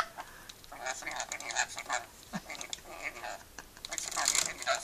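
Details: Pet rainbow lorikeet having fun chatting and laughing: harsh, buzzy bursts of chatter packed close together, rising in loudness toward the end, with a person's voice nearby.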